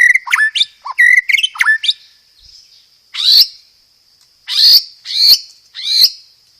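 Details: White-rumped shama lure song with rolled phrases and sparrow-fight mimicry: a quick series of sharp, tumbling whistled notes, then four separate piercing upswept calls spaced about a second apart.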